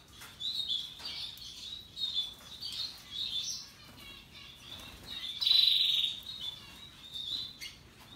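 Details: Russian yellow and Timbrado canaries singing: a continuous high twittering warble of short phrases, with a louder rolling trill about halfway through.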